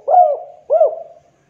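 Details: Spotted dove (tekukur) with a clear voice gives two mid-pitched arched coos about half a second apart, each rising then falling and trailing off softly.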